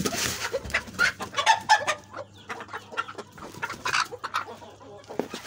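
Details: Native deshi chickens clucking: short, irregular low clucks and murmurs in quick uneven bursts over about five seconds, with a louder flurry near the start and again around four seconds.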